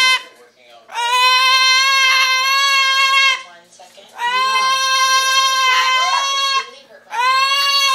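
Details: Cockatoo kept in a house, calling out when people enter: three long, harsh, sustained squawks, each two to three seconds, separated by brief pauses, in a small room.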